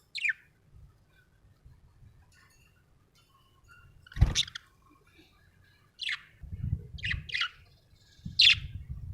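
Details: Happy budgerigar giving scattered sharp chirps, single and in pairs, separated by pauses of one to two seconds, over low thumping and handling noise.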